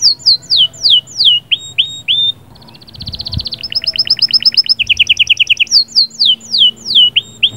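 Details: Canary performing sahsahat and batbatat song to excite a hen; falling whistled slurs open, then fast metallic trills at two pitch levels, returning to repeated drooping whistles.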